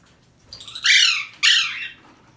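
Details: Alexandrine parakeet trying to escape lets out two long, rasping, drawn-out screeches, the second following half a second after the first, in a quiet room.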